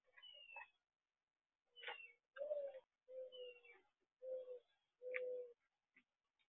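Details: A mourning dove (Zenaida macroura) gives a series of four low, hollow coos, each about half a second long, with thin, high whistled chirps from another bird before and between them.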